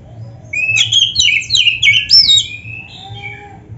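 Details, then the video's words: Oriental magpie-robin (kacer) singing to provoke reluctant caged birds; a dense run of varied high chattering notes and descending whistles over a low steady hum, ending in a softer sustained whistle. "TERAPI KACER GACOR DONGKRAK BIRAHI DAN EMOSI BUAT KACER MALAS BUNYI"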